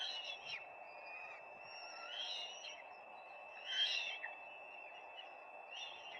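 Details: At a peregrine falcon nest on 4 May 2025, scattered hoarse, whining call notes come every second or so, with one louder burst in the middle, over constant low hiss.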